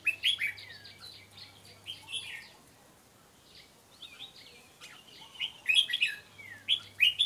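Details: Red-whiskered bulbul singing short, bright warbled phrases of rapid rising and falling notes, a burst at the start and another near the end with a quiet gap between.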